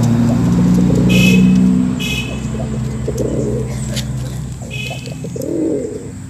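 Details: A pigeon gives low, rolling coos in short bursts over a steady low hum, with a few faint, higher chirps from small birds; the cooing is offered as a call to lure females.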